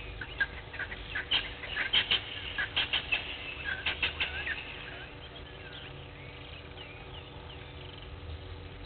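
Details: Blacksmith lapwing at Gowrie dam, Djuma Game Reserve, Sabi Sand Wildtuin, South Africa, 06:45 on 03/02/21: a quick series of about a dozen hard, metallic tink notes over four seconds, then quieter background birdsong and a low hum.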